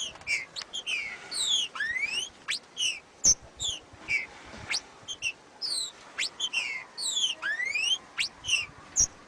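Green-winged Saltator singing loud, clear whistled phrases, with quick slurred notes and rising sweeps repeated about every second. The background is quiet.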